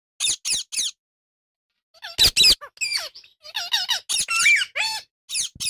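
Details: Happy Indian ringneck parakeet chirping, possibly one of a pair: a brisk run of high rasping chirps, then a busier stretch of squeaky notes mixed with lower whistled, bending calls and short squawks.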